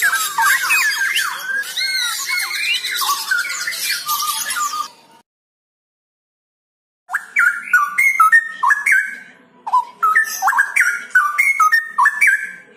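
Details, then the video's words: Mature mated pair of straw-headed bulbuls (cucak rowo): a harsh, noisy burst of chatter, a short silence, then loud liquid whistled phrases stepping up and down in quick, uneven runs. "CUCAK ROWO DEWASA JODOH"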